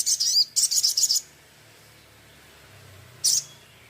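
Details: Crimson sunbird, recorded as a master for training other birds: two quick bursts of high, stuttering trilled notes in the first second, then quiet, then one lone sharp chirp.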